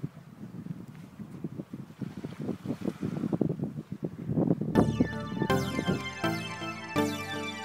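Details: Gusty wind buffets the microphone in rapid bursts, then plucked, ringing music takes over in the last few seconds, with no animal calls heard.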